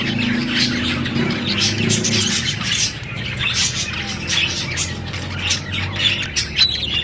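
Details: Budgie parrot chirping: a continuous, busy stream of short high chirps and squawky warbles with no pauses, over a low steady hum.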